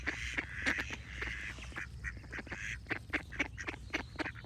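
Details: Ducks quacking in quick, choppy bursts, with a sustained higher tonal sound running alongside and a low background rumble.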